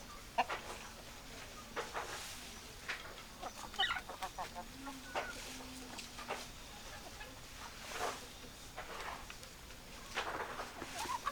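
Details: A flock of hens clucking over a farmyard background, brief sharp clucks and a few higher squawks spaced irregularly, with low drawn-out murmurs between them and a faint steady hiss.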